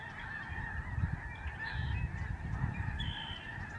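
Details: Lesser Snow Geese in a big flock over the George C. Reifel Migratory Bird Sanctuary, Canada, November 2011. A continuous honking chorus sits beneath heavy low wind rumble that comes in gusts.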